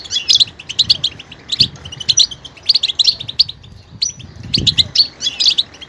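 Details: Lively goldfinch song made of tumbling high twitters in short bursts, separated by brief gaps, with occasional soft low knocks underneath.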